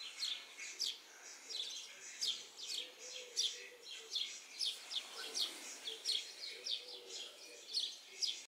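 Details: House sparrows perched in a yard tree give a steady stream of bright, sharp chirps, each note short and emphatic, repeated roughly twice a second in an overlapping chorus, with a faint low hum behind.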